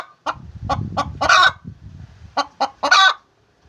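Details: Hen calling while laying eggs, a few loud clucks rising to a drawn-out squawk, twice, over a low rumbling background noise.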